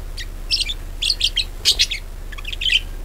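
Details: Budgerigar singing, used to lure other birds into singing: bursts of scratchy, chirping warbles between 2 and 8k, in clusters about every half second, over a steady low hum.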